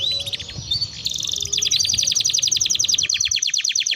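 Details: Canary in full song, used as a lure to stimulate other canaries to sing: a few scratchy high notes, then a long, fast, even trill of clipped chirps repeated about four times a second.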